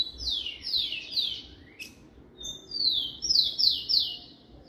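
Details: Captive rufous-collared sparrow, male singing in a cage, warming up; repeated descending whistled slurs in short bursts, a pause, then a second run of bright falling notes.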